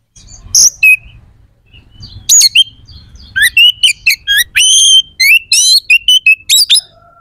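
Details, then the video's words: Oriental magpie-robin singing 'gacor' style to rouse rivals' emotion and breeding drive: a rapid, varied run of loud high whistles, slurred rising notes and harsh chips that builds into a dense sequence, with a faint background hum. "SUARA KACER GACOR🔴 AMPUH JEBOLKAN EMOSI DAN BIRAHI KACER"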